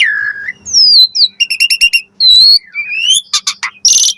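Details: Asian pied starling song meant to draw an answer from other starlings: drawn-out whistles gliding up and down, a brief rattling trill, then harsh noisy bursts among the varied fill-in phrases.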